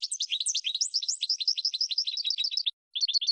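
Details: European goldfinch kept as a cage bird, training song for teaching other birds: rapid run of bright twittering and tinkling notes, high and varied, flowing almost without pause, then a brief gap and a short resumed burst.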